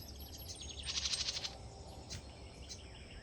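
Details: A female Carolina wren feeding her nestlings gives a quick burst of high, rapid chirps, followed by a few single notes.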